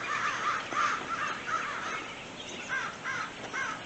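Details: A large flock of crows flying over on a foggy day, giving a rapid series of harsh, nasal caws that overlap and fade as the group passes; a person laughs in the background.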